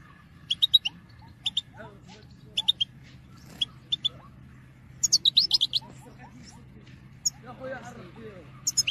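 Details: European goldfinch in 2022 performing a calling song for motivating birds: bright chirps in pairs and triplets, then a busier twittering run around five seconds, softer lower warbled notes, and steady hum.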